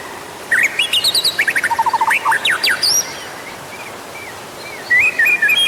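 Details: White-rumped shama lure song: a rapid string of rising whistled notes and trills, clipped high chips, a lull of soft background, then a wavering whistled phrase at the end.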